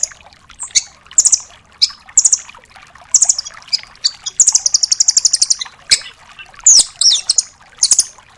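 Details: Training song from a rambatan doraemon nuthatch, 'tembakan' style, for young and adult songbirds: scattered shrill chirps building into a long rapid ticking trill of about a dozen notes, then sharp twisting whistles.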